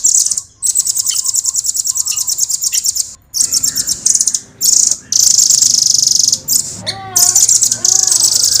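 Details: Velvet-fronted nuthatch kept in a cage delivers long, fast, clear rolling trills, very high and continuous, broken by brief pauses, with a few lower twittering notes mixed in.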